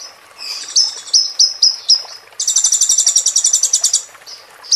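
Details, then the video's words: Ruby-cheeked sunbird song with roll tembak fills, played as a training track for a moulting bird: thin high whistled notes repeated about every quarter second, then a fast buzzy rolling trill of rapid pulses, ending in whistles. "MASTERAN KONIN FULL ISIAN ROLL TEMBAK"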